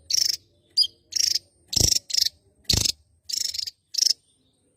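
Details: Lively singing from a Javan tesia, a Java endemic: a fast series of high buzzy rattles and short sharp notes, repeated roughly every half second, with two brief low thumps partway through.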